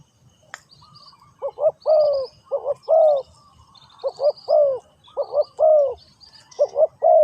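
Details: Spotted dove cooing: low, mellow hooted notes in short phrases of two or three, loud and close, with gaps between phrases; faint high chirps of other birds in the background.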